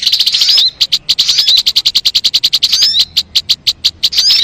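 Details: Crimson sunbird (sogon) song from a lure recording: very rapid, high, dry ticking notes in fast bursts, broken by brief gaps, with a few thin upward-sweeping whistles near the end.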